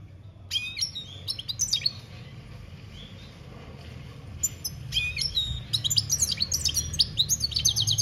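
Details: European goldfinch, 2021, delivering campero-style song: scattered high tweets open the passage, a near-silent lull follows, then a fast, rising tumble of tinkling and buzzy notes builds to the close over low background rumble.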